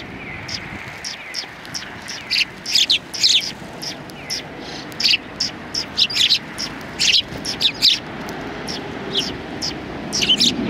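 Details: Sparrows gathered on a bench at a Tenmangu shrine in January 2020 chirp in irregular clusters of bright, clipped tweets separated by short pauses, with soft background rumble.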